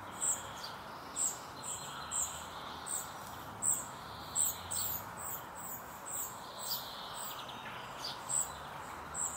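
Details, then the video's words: A spotted flycatcher chick begs its mother for food as she feeds it, repeating a very high, thin, clipped call roughly once a second over a steady soft hiss of background noise. "Птенец серой мухоловки выпрашивает у мамы еду"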